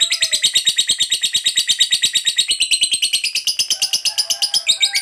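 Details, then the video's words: Long 'ngekek panjang' chatter of a fighter lovebird, meant to provoke other lovebirds: quick, scratchy, high-pitched notes repeated in an even, rapid stream, with faint lower tones in the background. "Pancingan Suara Lovebird Ngekek Panjang"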